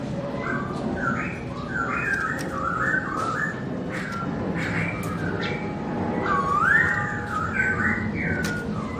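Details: A black-throated laughingthrush (Garrulax chinensis), kept as a pet and singing with its owner away, delivers rapid chattering whistles and one long looping melodious note against constant background noise.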